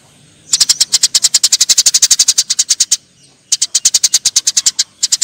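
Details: Eurasian tree sparrows fighting deliver long, fast, steady runs of harsh high chirps, over two per second, broken by a short pause midway.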